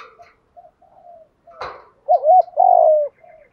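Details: Spotted dove lure call used to attract other doves: soft low coos, a sharp knock, then a louder wavering coo and a sustained final coo, in a quiet setting.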